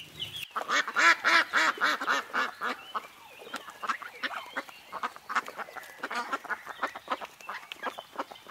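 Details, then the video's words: A duck gives a fast run of about eight loud, nasal quacks in two seconds, followed by a looser scatter of softer, shorter quacks and chatter. "Duck sound - duckling in the pond - duck quack"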